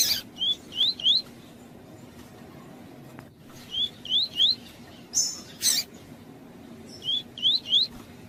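Lined seedeater giving short bursts of three rising, whistled notes, repeated every three seconds or so, high and clear, with a few brief noisy clicks between phrases.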